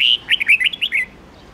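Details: Red-whiskered bulbul in the wild old-bird voice used to coach young birds: an opening sustained whistle followed by a quick tumbling series of loud, sweet chirped notes, then quiet.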